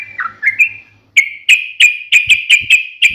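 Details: A gacor yellow-vented bulbul gives a few slurred whistles, then a fast series of sharp, clear chirps in its fighting-style ngalas song.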